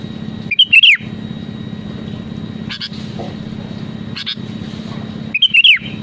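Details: Sooty-headed bulbul singing strongly to challenge rivals: a short whistled phrase of bright notes falling at the end, faint double notes in between, then the same phrase repeated almost five seconds later, over a low hum.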